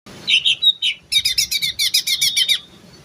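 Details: Greater green leafbird singing in terotol style: a few slurred whistles, then a fast run of about twelve sharp, bright, buzzy chirps evenly repeated over a second and a half, rising and falling slightly.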